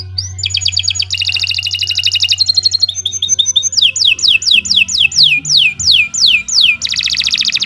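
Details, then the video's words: Canary singing on a Saturday morning in August 2023, its long song used to tutor other songbirds. Rapid buzzy trills change into a series of fast sweeping downward whistles, then a dense trill again, over a steady low hum. "Kicau Burung Kenari II GACOR PANJANG Cocok untuk Masteran"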